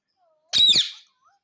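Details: Caged talking parrot indoors imitating the word "mummy": a single quick, squeaky, nasal utterance with a faint soft tone before it.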